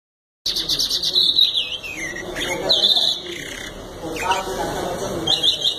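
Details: Canary in full song: high twittering phrases and a steady whistled note, broken by a falling slur, with a human voice talking underneath in the lower range for much of the clip.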